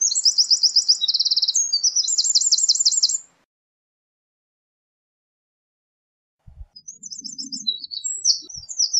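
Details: Eurasian wren song: a loud three-second run of fast, high, rhythmic trills, silence, then another shrill phrase, with a few low thumps.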